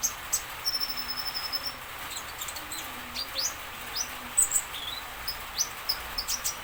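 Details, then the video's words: Common iora song meant to make other birds answer: high thin whistled notes, one long level whistle near the start, then short sharp chirps and clicks scattered through the clip over a steady hiss. "KONIN DACOK ISIAN DIJAMIN BURUNG LAIN NYAUT"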